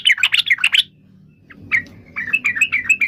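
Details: A short yellow-vented bulbul phrase of fast, tumbling warbled notes, a brief pause, then a softer run of repeated chirps.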